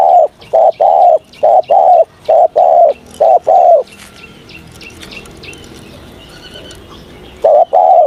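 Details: Spotted dove cooing during morning voice training: deep, soft hooting coos in short and longer notes, grouped in quick runs for about four seconds, then a pause with faint chirps of other birds before the coos resume.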